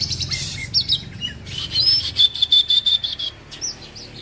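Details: Oriental magpie-robin from Aceh, kacer argal, giving a long, steady high whistle broken into evenly repeated notes, framed by scratchy chirps over a low background rumble.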